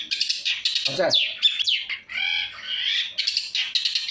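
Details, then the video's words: Caged long-tailed shrike singing a varied, full song: harsh buzzy bursts, sharp whistled slurs and nasal rattling phrases in quick succession, with one lower rasping note midway. "pentet cendet gacoorr suara full variasi"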